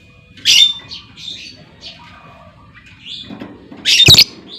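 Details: Female lovebird calling to lure other lovebirds into long trills: a harsh screech followed by several softer squeaky chirps, then a loud, grating burst of screeching at the end.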